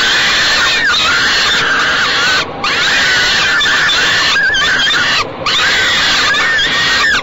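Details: Falcon chicks in a nest box at Great Spirit Bluff being fed by their mother on the evening of 28 May 2013, between 6:00 and 6:15 pm; harsh, strained harmonic wails repeated almost without pause, with short breaks.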